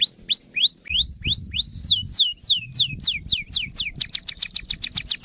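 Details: Canary singing to draw other canaries into song: rising whistled slurs, then falling sweeps, then a rapid rattle of short repeated notes.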